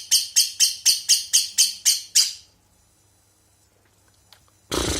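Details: Lovebird konslet song with isian walang fill: rapid, rasping high bursts about four per second for two seconds, then near silence, a lone click, and a sudden loud burst of broad noise at the end.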